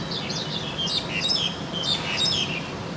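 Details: Wild crested myna in active song: rapid, varied high whistles and squeaky chirps, some rising and falling, follow one another almost without pause over faint low background hum.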